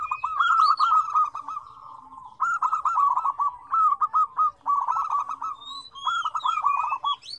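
Zebra doves coo in quick, rolling, bubbly phrases of staccato notes, several birds overlapping. Thin, high chirps and whistles from other small birds sound in the background.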